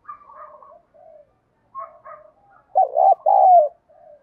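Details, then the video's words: Spotted dove with a 'giọng đồng' voice of the 'thổ bầu' style, said to provoke fighting and used as a decoy to lure wild doves. Soft twittering, then a loud low coo phrase: a wavering double note and a longer falling coo. "chim cu gáy giọng đồng thúc đấu, dùng bẹo bổi thì hiệu quả nhất"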